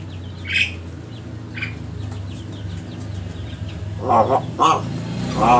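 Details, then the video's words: Crow imitating human speech in a training recording. Raspy, speech-like syllables come in a quick pair near the end, followed by another. Thin high chirps from other birds and a low hum run underneath. "Burung gagak Bisa Bicara"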